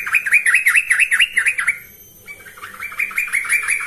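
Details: Lure song of a persistently singing yellow-vented bulbul: a quick run of looping, bouncing chirps, a brief pause, then a second bubbly phrase starting up again.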